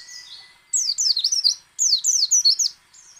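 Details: White-eye in ngecal, ngalas and nembak song, used to draw song from other white-eyes: two tight bursts of rapid, high, down-slurred whistled notes, each burst lasting about one second.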